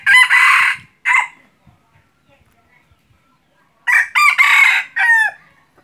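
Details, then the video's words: Hunting decoy junglefowl crowing: a harsh opening burst and a short note, then after a pause a stuttering series of three or four raspy, buzzy syllables close together. "ไก่ต่อไก่ป่า-qaib dib qaib qus"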